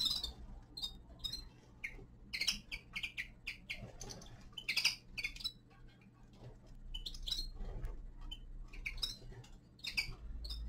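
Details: Winter song of a young male common linnet, given as scattered sharp chirps and short twittering phrases with gaps between them, alongside soft knocks and a low background rumble.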